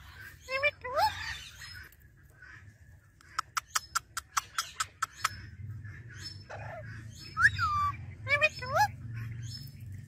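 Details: Pet male rose-ringed parakeet from Pakistan talking in Urdu, said to utter "Mia Mithu chori khani hai"; short voiced, squawky word-like syllables sliding up and down in pitch, a quick run of sharp clicks midway, steady low hum underneath.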